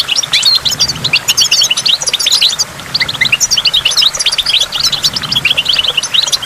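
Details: Goldfinch song near a waterfall among water drops: steady stream of bright, rapid chirping and twittering notes in pulsing phrases, short pauses around the middle.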